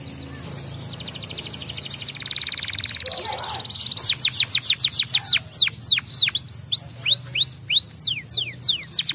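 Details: A yellow canary sings to encourage other birds: a soft rapid trill builds into strong downward-swooping whistles repeated quickly, ending with paired upward-hooked notes.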